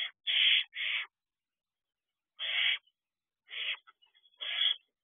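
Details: Owlets at an owl box at dawn, 5:23 am on a June morning, the young still visiting the box: harsh, hissing screeches in broad noisy bursts about half a second long, five of them with irregular gaps.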